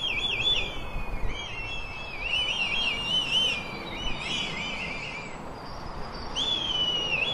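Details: Red kites calling to each other in woodland give thin, quavering whistles that waver up and down over a steady background rush.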